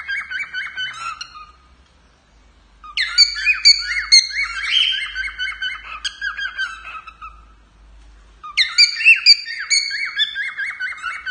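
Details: Male cockatiel kept as a pet sings for its owner in three warbled phrases of quick, rising and falling whistled notes, with short silent gaps between them and a faint low hum in the background.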